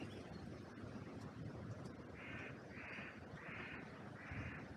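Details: Crows calling from an oak tree in a cemetery: four harsh caws in a steady series about half a second apart, over constant wind rushing through the branches.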